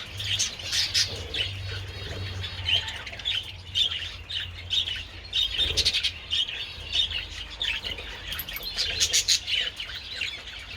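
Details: Several pet budgerigars enjoying treats in the sun on 27 February, chattering steadily: a dense stream of high warbles, squeaky chirps and harsher squawks, rising in busy bursts throughout.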